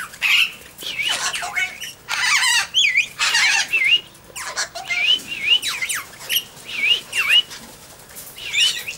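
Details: Major Mitchell's cockatoos at Junee Tourist Park on 5 June 2015, dancing with an eastern rosella joining in, give harsh, grating screeches in short bursts, then clear rising-and-falling whistled notes about twice a second.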